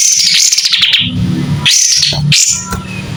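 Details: White-rumped shama in clear song with tail fanned: a falling warbled phrase, then two short high whistled notes, over a steady low hum in the background.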